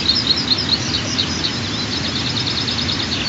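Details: White-tailed eaglets, two chicks aged 23 and 25 days, on the Altynychi nest during the third morning feeding, 15 June 2023; high thin chirps repeated rapidly over steady broadband hiss of wind or running water.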